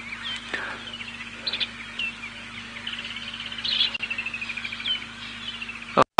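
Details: Around sunrise on 28 November 2017, at Chitwa Chitwa dam in the Sabi Sand, South Africa, many starlings chatter with high, rising and falling whistles and squeaky trills over a steady low hum.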